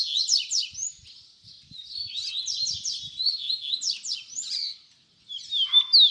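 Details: Baderna-style song of a double-collared seedeater, meant as a teaching model for young birds: rapid runs of steep, high slurred notes and chattering trills that carry on almost without a break, then a brief pause and a final whistled phrase.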